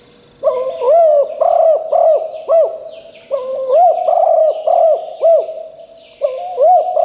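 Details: Decoy spotted dove cooing strongly to attract wild birds. Three close phrases of rhythmic, arched hollow notes follow almost without a break, with a steady high-pitched electronic tone in the background.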